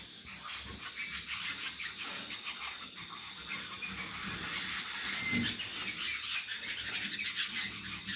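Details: Roller canary of the Gheling line singing a soft, sustained rolling song, a faint steady tone held throughout under continuous rustling and clicking noise.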